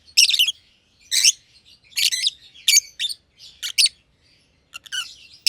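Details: Two lovebirds, green personata and green pied personata, living in an aviary, giving loud rasping high chirps roughly once a second, with softer twitters trailing between the louder calls.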